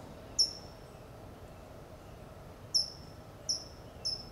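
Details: California towhee calling from a low perch in Del Monte Forest, California: four brief, piercing, high "tsip" notes, one isolated and then three closer together near the end, against a quiet hiss.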